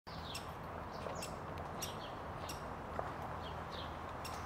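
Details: Great spotted woodpecker in Ljubljana Botanical Garden, Slovenia, on 31 May 2023: sharp, short 'kik' calls about every second over a steady rushing background, with thin chirps from other small birds.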